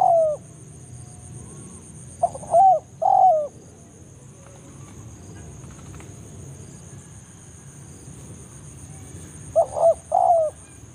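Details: BANGGO lure call of a forest spotted dove, used to pull rival doves toward a trapping site: a trailing coo, then a phrase of grunt and two falling coos, a long quiet stretch with a high hum, and a final phrase.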